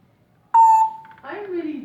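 A grey parrot gives a steady, pure beep-like whistle, then a low, voice-like falling utterance; a quiet indoor room is the only other sound.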